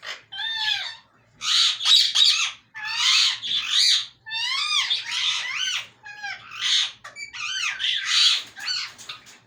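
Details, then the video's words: Talking parrot repeating loud, shrill speech-like phrases in a series of separate bursts about a second apart, each with curved, harmonic syllables, heard in a quiet room. "talking parrot/ mitthu urdu / hondi bolne wala tota"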